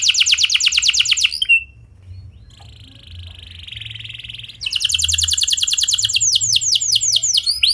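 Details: Canary singing a clear rolling song used as a lure: a fast high trill, a pause with a soft, steady buzzing hum, then renewed rapid trills ending in looping swept notes.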